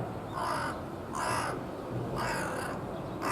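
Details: Carrion crow perched and calling with its chest puffed out, giving a slightly husky voice: four harsh, hoarse caws spaced about a second apart, each broad and grating, over a low steady background rumble.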